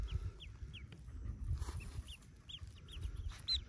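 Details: Yellow ducklings hatching in a cave nest, a brood of about forty; scattered short, high, down-curving peeps come every half second or so against low background rumble.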